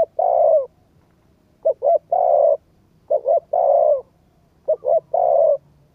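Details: Repeated coo phrases from a spotted dove, meant to prompt a decoy bird. Each phrase has two short clipped notes and then a drawn-out mellow coo, recurring roughly every 1.5 seconds, four phrases in all.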